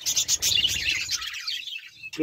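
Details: Budgerigars give a rapid, high twittering warble that fades out, followed by a brief human voice at the very end.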